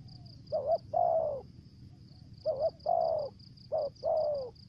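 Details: Spotted dove decoy call in the 'thổ dế' voice style with stutter notes and 'mai rừng' voice, used as a lure: three phrases, each a short clipped double coo then a longer falling coo, over a steady pulsing high-pitched insect-like whine.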